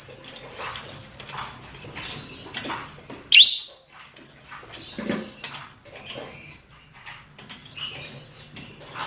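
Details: Mating calls from male and female rosy-faced and Fischer's lovebirds: dense high-pitched twittering throughout, with one sharp, loud screech near the middle.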